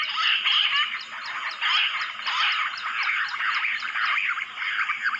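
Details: Bush quail in the jungle, lured with a mobile phone: a busy chorus of short, sweeping chirps repeated in quick succession, rising and falling in loudness.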